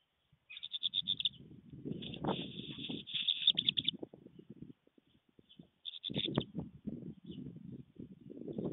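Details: Black redstart singing in flight at a stork nest in Fohrde, Germany, 24 September 2020: high, buzzy, crackling bursts at steady pitch in three phrases, the middle one longest, over low rumbling noise and thumps throughout.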